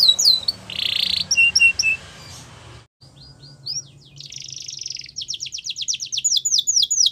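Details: Yellow canary singing in the wild. A short buzzy burst and a few chips sound over low background rumble, then a brief silence. Rapid trilled tours of high, repeated, downslurred notes follow.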